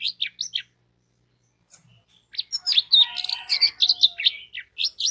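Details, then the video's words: Orange-headed thrush song used as a lure to prompt other orange-headed thrushes into song: a few short, sharp notes, a pause, then a dense, rapid stream of varied, chirping and warbling phrases. "DENGAN SUARA ANIS MERAH INI 99% ANIS MERAH AUTO BUNYI DAN SINGSET"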